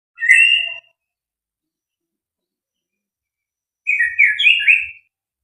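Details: White-rumped shama (murai batu), a fighter bird with a full repertoire ('full materi'), gives two short bursts of bright, rich whistled phrases. The bursts are separated by about three seconds of silence, and the background is otherwise quiet.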